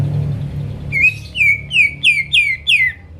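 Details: Greater green leafbird singing to provoke rivals: after a quiet start, six evenly spaced, clear downslurred whistles, each dropping in pitch, about three per second, over a steady low hum.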